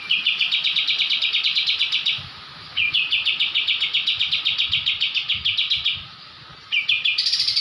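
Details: Javan kapas tembak white-eye in full 'ngebrem' mode, a training recording: continuous fast buzzy rattles, several seconds each, broken by brief gaps, ending in a rising high whistle.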